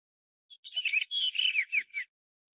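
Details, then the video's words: Blue rock thrush of the blue-bellied form, M. s. pandoo, in Taiwan. A single clear phrase of warbled, slurred whistles with several downward-sweeping notes lasts about one and a half seconds against a silent background. "藍磯鶇(藍腹藍磯鶇)/Blue Rock-Thrush"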